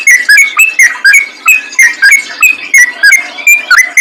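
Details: Lure song of a yellow-vented bulbul, fast and wild in style: a chain of bright, clipped whistles with dipping and rising inflections, spaced every few tenths of a second.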